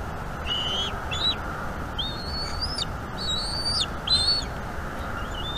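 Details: Bald eagle eaglet on a nest-cam nest in North East Florida, calling during an evening feeding by its mother on 5 May 2021; thin whistled slurred notes rising and falling, given in short bursts with steady background hiss.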